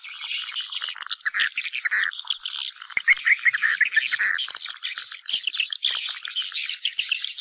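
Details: Many swiftlets twittering together in a lure recording for drawing them into a house; high, hissy chatter overlaid with clearer, slightly lower chirped notes in the middle.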